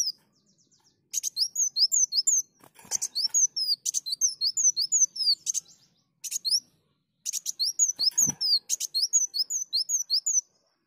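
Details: Energetic sunbird song used as a lure: repeated phrases of rapid, high, slurred whistles, each opening with a rasping buzz, in four bursts with short breaks.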